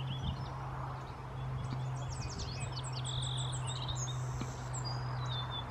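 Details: A male song sparrow (Melospiza melodia) in Ottawa sings quick, bright repeated notes, then a buzzy trill and a few high chips, over a steady low mechanical hum.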